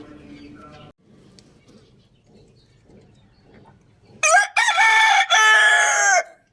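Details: Rooster crowing loudly: one long, harsh, strained crow broken into several loud segments with a rising start and sustained end, preceded by quiet background clucking and scratching.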